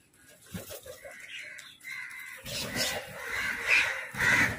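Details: Crows fighting over food: harsh, rasping caws, quiet and scattered at first, then louder and overlapping in a noisy burst during the second half.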